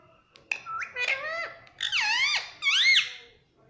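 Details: Three drawn-out, richly harmonic squawks from a pet ringneck parrot, each sweeping upward then down, clear against a quiet room.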